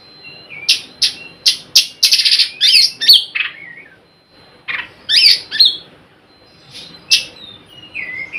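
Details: Oriental magpie-robin played as a lure to call other magpie-robins into singing; rapid harsh chattering notes in two dense bursts, with falling whistled slurs between them and a brief gap near the middle.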